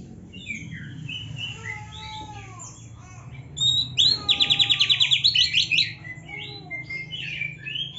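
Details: Oriental magpie-robin, the black-breasted kacer, singing a varied gacor song to coax other kacer into song: soft slurred whistles, then a rapid rattling trill of sharp repeated notes, over a steady low hum and faint other chirps.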